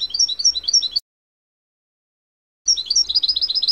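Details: European goldfinch, natural song recorded in 2024 for the season's chicks: a rapid, liquid twitter of high tinkling notes, cut off, then resumed after a short silence with the same bubbling, continuous chatter.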